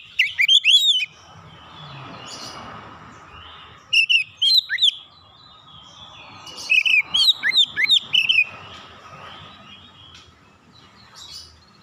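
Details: Calling Oriental magpie-robin on a therapy chirping recording: three short clusters of sharp, twisting whistled notes spaced a few seconds apart, with a low steady hum and faint background hiss between bursts.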